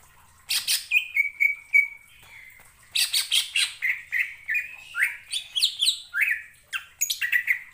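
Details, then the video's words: Greater green leafbird (cucak ijo), a mimic of other birds' songs, sings loud, varied phrases: clear whistled notes, sliding slurs and harsh scratchy bursts in rapid succession, with no other sounds. "BIKIN CUCAK IJO LAIN TERPANCING EMOSI & IKUT BUNYI"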